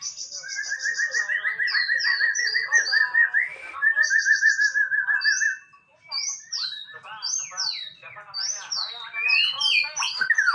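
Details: Male white-rumped shama in full, vigorous song: long rapid trills at two pitch levels, a brief pause, then varied high whistled sweeps and chattering notes delivered in quick succession.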